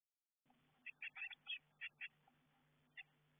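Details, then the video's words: Eurasian blue tit young inside a garden nestbox, getting ready to fledge; short, high chirps come in quick irregular clusters, then a single late note over a faint steady hum. "Bluetits fledging from inside the nestbox"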